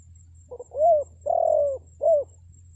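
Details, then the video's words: Luring call of a spotted dove meant to draw wild birds into answering: a pair of short soft notes followed by three mellow low coos, the second coo held longest, with faint low rumble behind. "SUARA PANGGILAN TEKUKUR PIKAT, BURUNG HUTAN PASTI NYAHUT"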